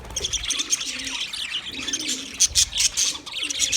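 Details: A group of budgies warbling, soft high chatter building into louder sharp chirps toward the end, with a gentle low rolling sound underneath.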